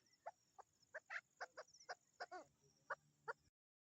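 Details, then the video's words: Chukar partridge hen during the mating season, uttering short clucking notes with a few quick downward-stepping chatters, spaced unevenly over a few seconds before the sound cuts off. "مادی چکور کی مستی کا وقت the mating season or female partridge"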